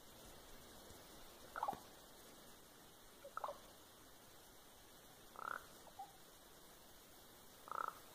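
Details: Common raven in a tree at Fox, Alaska, April 7, 2020, recorded on a cellphone while another raven pulls apart an old hornet's nest; four soft, liquid, droplet-like gurgling notes roughly two seconds apart over quiet background.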